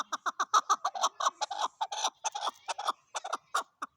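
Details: Rapid chukar partridge call: a dense, rhythmic string of throaty chuk notes, about six or seven a second, keeping an even pace throughout with only brief pauses.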